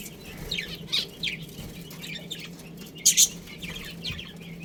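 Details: Pet budgerigars from a colony with a breeding pair chirp in quick, scattered high twitters, with one louder sharp burst near the end and a constant low hum underneath.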